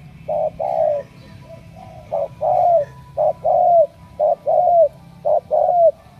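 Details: Ca Mau spotted dove, a chosen 'đồng' cooing bird, repeating phrases of a short clipped note and a longer, downward-slurred coo, about five phrases in six seconds, with a faint background hum.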